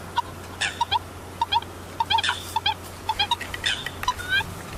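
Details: Sparse Eurasian coot calls: quiet, short nasal pips in loose pairs, with a few louder falling notes and a faint hum underneath.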